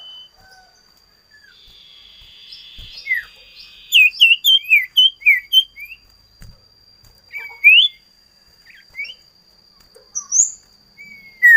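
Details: Common iora, known locally as sirtu, cipoh, cito or sirdum, singing: after a quiet start, a lively run of short, sharp chirps and upslurred notes in quick bursts, with pauses between phrases; a faint steady high whine runs throughout.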